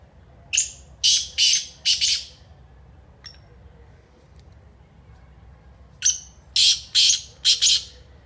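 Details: Kala teetar, the black francolin, repeats its grating call twice, about five seconds apart. Each phrase is a thin lead-in note then three or four loud rasping notes. Quiet pause between phrases.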